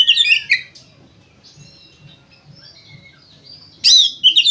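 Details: Oriental magpie-robin singing loudly to lure other magpie-robins into song: a rich burst of high whistles and trills, a stretch of softer thin whistled notes, then another loud chattering burst at the end.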